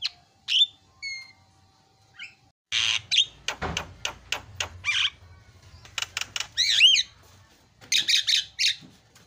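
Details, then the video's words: Asian pied starling, very noisy song: a few isolated whistled notes, then rapid harsh chattering bursts, clicking rasps and looping whistles in clustered phrases over a low hum. "SUPER BERISIK JALAK KEBO SUARA ISIAN"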